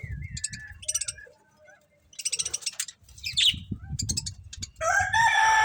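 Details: Budgerigars in a happy colony chirp and squeak in short bursts, with a few whistled notes and a loud harsh chatter at the end, over low background noise.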